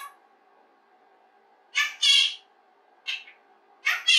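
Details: Pet rose-ringed parakeet indoors, playing alone and practising human speech, recorded secretly: harsh, raspy speech-like syllables in short bursts, a pair, then a single, then another pair, over a low steady room hum.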